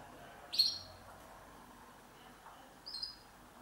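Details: A nest-building female red factor canary calls twice, a loud thin chirp followed two and a half seconds later by a softer one, with low room hum behind.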